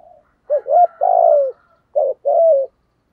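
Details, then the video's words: Spotted dove kept as a decoy bird, with a prized 'giọng thổ' voice; a low, mellow coo phrase: a short lead note, then rolling, wavering coos ending in a long, slightly falling croo, in a quiet setting. "Chim Cu Mồi, cu gay giong tho cuc dinh"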